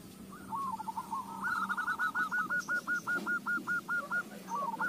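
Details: Zebra dove song played to draw other doves into song: a steady string of evenly spaced, hooked cooing notes over a hissing, noisy background with a low hum.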